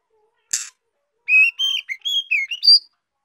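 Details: Young female white-rumped shama singing to stimulate males: one sharp click, then a quick phrase of clear whistled notes that slur up and down and end on a high upward note.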